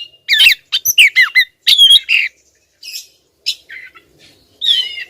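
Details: Female Oriental magpie-robin calling at a male. A quick run of loud squawks and whistled notes, then softer, scattered buzzy notes with longer pauses.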